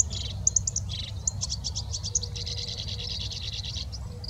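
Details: A black-browed reed warbler sings on grassland in Sapporo, Japan, in May 2021: a fast, high, scratchy chatter of clicking and buzzing notes with a few sharp whistles, over a steady low rumble.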